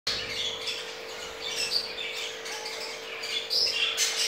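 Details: Crested jumbo male budgerigar caught mating in an unusual way, from a pair that has two eggs; scratchy, chirping warble with squawks running through the whole clip, over a steady electrical hum.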